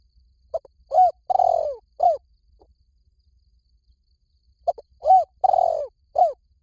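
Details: Spotted dove calling twice, each phrase a short note, a rising-falling coo, a long downward coo and a last short coo, hollow and mid-pitched, with quiet between phrases.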